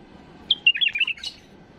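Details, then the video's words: A tame bulbul sings one quick, liquid phrase of about eight bubbling, whistled notes that rise and fall, ending on a brighter note, over a faint low hum; a flawless song for tutoring chicks. "تغريد بلبل اليف خالي من الاخطاء لتخريج الافراخ"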